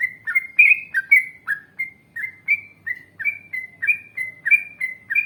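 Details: Yellow-vented bulbul, a lively singer in an Indonesian training recording, delivering a steady stream of bright chirps that alternate between a higher whistled note and a lower falling one, roughly three per second.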